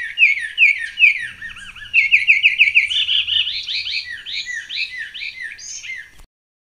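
Carmiol's tanager sings a fast, run-on string of rich, slurred, arching notes, high and bright, rising slightly in pitch toward the end, over a faint low rumble.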